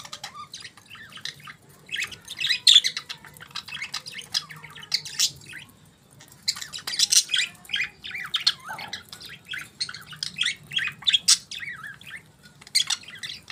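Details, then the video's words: Morning chirping of budgies: two long spells of busy, high twittering and squawky warbles, separated by a brief lull near the middle, with a low hum behind. "Budgies Morning Chirping Sounds"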